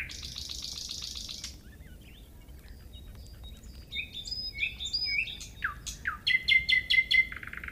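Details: Nightingale song that opens with a dry buzzy rattle, pauses, then builds into a varied string of whistled notes, sharp chips and a sustained fluttering trill.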